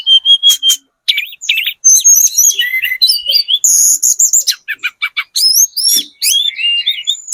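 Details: Lure song of a spotted 'trotol' Sunda robin, used to make other birds respond: a fast medley of sharp high chips, buzzy bursts and twisting whistles, broken by brief pauses, very bright and varied.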